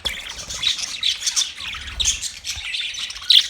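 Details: A caged flock of budgerigars warbles and chirps continuously, a bright, scratchy, high-pitched babble ending with one loud sharp squeak.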